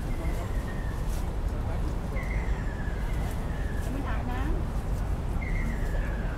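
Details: Ruddy kingfisher at Rot Fai Park on 20 April 2016: four drawn, whistled calls sliding steadily downward, each under a second, spaced unevenly. A constant low traffic rumble runs underneath, with people talking and a brief chattering bird in the middle.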